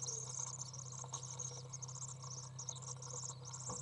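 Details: Three young common swifts being fed in a nest box on June 15th 2011: dense high, thin chittering and twittering runs continuously over a steady low electrical hum.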